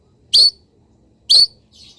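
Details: Caged long-tailed shrike, misted and sunning in the morning, gives two sharp high whistled chips about one second apart, followed by a faint softer note.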